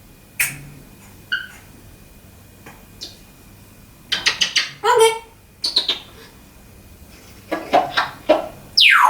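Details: Pet African grey parrot in a small room, talking and making sound effects: scattered clicks and short notes, then clustered voice-like syllables, ending in a sharp falling whistle.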